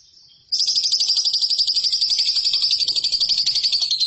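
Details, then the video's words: Lovebird training song for competition birds: after half a second of near silence, a continuous high, rapid chattering trill of tightly repeated pulses, about four per second in loudness, steady throughout. "MASTERAN LOVEBIRD RAHASIA BURUNG JUARA"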